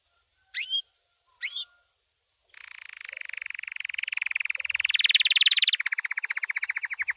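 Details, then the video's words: Training song from a white canary: two short rising chirps, a pause, then a long, fast, buzzy rolling trill that swells louder and shifts slightly in pitch partway through. "White Canary 12h Singing - The Best Training Song"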